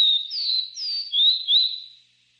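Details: Capped seedeater giving its three-note song style: clear whistled notes, some sliding down and others rising then falling, delivered in a quick phrase of about two seconds with no other sounds.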